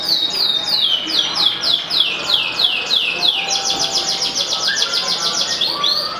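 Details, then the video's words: Yellow F2 canary singing at full, vigorous pace: a run of high, falling swept notes about three a second, then a faster, higher rolling trill, with a softer whistled note near the end. "KENARI F2YS BON KUNING GACOR FULL"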